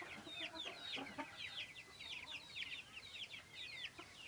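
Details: Farmed Silkie chickens heard at a distance, many birds producing a steady stream of thin, high, down-sweeping peeps, roughly a hundred per minute, over soft background noise.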